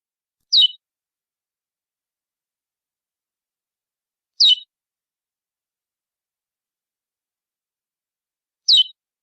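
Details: Chestnut-bellied seed finch (curió) giving pialadas from a classic praia-style training recording: three sharp, high, downward-sliding chirps spaced about four seconds apart over a silent background, with no waterfall sound audible.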